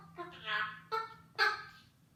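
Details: Chattering pet eclectus parrot giving three nasal, honk-like squawks: a longer wavering one first, then two shorter, sharper bursts about half a second apart, over a steady low background hum.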